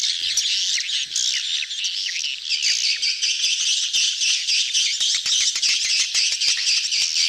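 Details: Crowded swiftlets in breeding mood, recorded as a lure call: sharp chirps overlapping in a constant high twitter, punctuated by quick dry ticks that grow more frequent toward the end.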